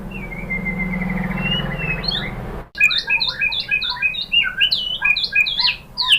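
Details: Lure song of a white-rumped shama, meant to make other shamas answer and sing. A faint drawn-out whistle over background hiss gives way after a sharp cut to choppy, varied high chirps and whistles.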